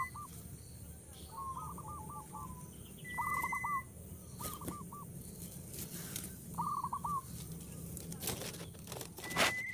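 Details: Coucal chicks in the nest while the parent brings large food they will not eat; clusters of short, wavering mid-pitched calls repeated several times, with a thin steady high tone and low background hum.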